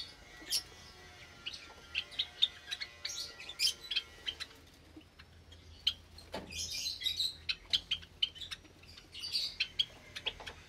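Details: Several Java sparrows in an aviary with chicks, recorded on the morning of 8 May 2022: busy high chirping with rough, noisy bursts and a clustered outburst near the middle, with a low hum behind.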